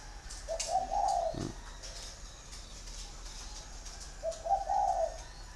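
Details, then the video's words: Large caged male spotted dove in Ba Vì, Vietnam, caged for six years, singing in the 'giọng thổ' style: two low, mellow cooing phrases separated by a pause of about three seconds, with a brief knock between them. "bộ to giọng thổ 6 năm lồng chim trống 100%"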